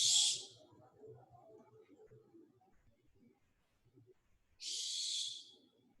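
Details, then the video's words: Barn owl call played as an identification example: two harsh, hissing screeches, the first brief and the second longer about four seconds later, with faint murmuring voices underneath. "So I'll play the call of barn owl."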